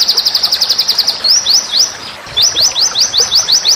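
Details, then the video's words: Master recording of white-rumped shama song for contest training: a quick series of high chips gives way to spaced, rising upslurred whistles repeated about every quarter second, with a short gap midway. "masteran murai batu"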